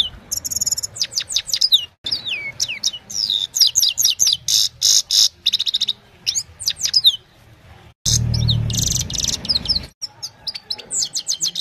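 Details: Evening song of a Himalayan goldfinch, recorded by mobile phone: rapid high twittering with quick rising and falling chirps in long bursts, broken by short silent gaps, then a fresh busy burst near the end.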